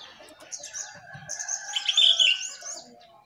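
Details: Jongkangan singing vigorously while perched on top of its cage: a run of thin high chirps and twittering notes building to a louder, sharper burst near the end.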